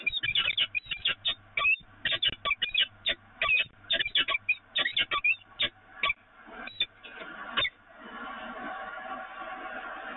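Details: Peregrine falcons at the Evoluon on 24 April 2018: a rapid run of about twenty harsh, staccato repeated notes over roughly seven seconds, then a steady rushing noise.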